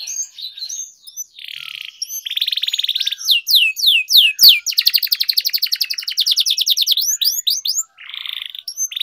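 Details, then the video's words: Domestic canary song for training young singers, long rolling style: buzzy blocks, a series of curved whistled notes, then an extended fast pulsing roll and further buzzy phrases. "Canary Singing Training, Kenari Gacor Ngerol Panjang,Terapi Kenari Macet, Masteran Kenari Paud"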